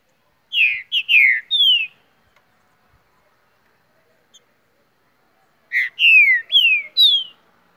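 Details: Song of a green-winged saltator (trinca-ferro) in Mar de Espanha, Minas Gerais, Brazil: two matching bursts of three or four clear, descending whistled slurs, separated by about four seconds of near silence.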